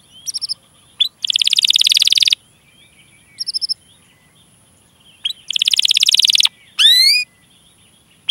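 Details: Canary cuit-cuit song used to prompt young or silent canaries; softer, with short bursts of buzzy trilling separated by gaps, scattered chirps and one rising sweep.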